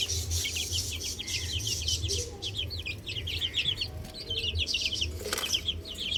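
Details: Chicks playing on a roof keep up a busy stream of short, high, slightly downslurred peeps from several birds at once. A low hum runs beneath.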